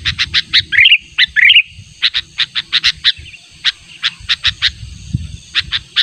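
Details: Sooty-headed bulbul sound for luring, persistently summoning a rival: two twisting whistled phrases early, followed by steady harsh chips repeated about every half second.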